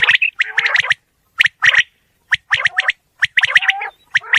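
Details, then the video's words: Wild-recorded quail giving clusters of scratchy, clipped chirps. Several quick notes are bunched together, separated by gaps of roughly half a second. "Batair ki Awaz | Quail Sound | बटेर लावा बटेर | صوت السلوى الصاعد | Bildirçin Yüksələn Səsi"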